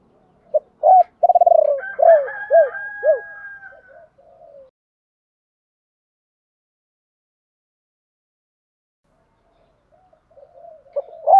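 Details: One 'ba hậu' phrase from a decoy spotted dove calling wild doves in: a rolled coo followed by three quick arched coos over a faint sustained whistle, then long silence and a last coo.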